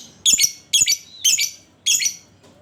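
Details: Lovebird ngekek, a lure to prompt other lovebirds to sing: four loud, shrill, rasping chatter bursts in quick succession, each about a quarter second long, close and clean.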